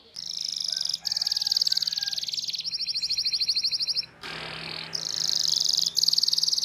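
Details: Canary song used to train young canaries: long rapid rolling trills with short pauses, shifting to a purer higher trill mid-way, then a brief rough burst before the rolling trill resumes.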